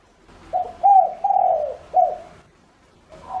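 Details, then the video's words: Lure call from a decoy spotted dove aiming to attract other doves: one mellow four-note coo phrase with a long, downward-sliding third note, followed by quiet. "Cu gáy mồi cây GÁY GỌI cực hay kích bổi nhanh nổi hiệu quả nhất"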